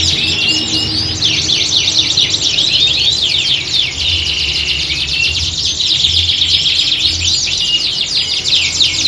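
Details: A group of canaries sings in a recording that imitates a singing-competition atmosphere, used to build the birds' fighting spirit. Rapid overlapping chirps and rolling trills run throughout, with a brief smoother whistled stretch midway and a faint low rumble.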